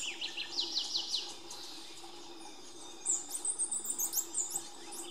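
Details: A lineated woodpecker (Dryocopus lineatus) in Colombia gives a quick run of five or six sharp, down-slurred notes, followed by higher, thin chirps, with a steady insect hum underneath.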